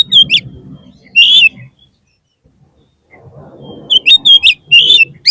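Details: Lure recording of an oriental magpie-robin (kacer), meant to rouse a caged bird whose morale has dropped: loud, bright whistled phrases in short bursts, a quiet gap, then a dense string of sharp chirps, over a soft low rumble.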